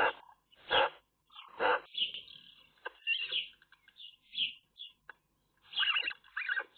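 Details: Eurasian magpie nest with chicks, filmed on a nest cam: loud, grating squawks alternate with strained, high, wheezy calls, forming an uneven, busy chorus.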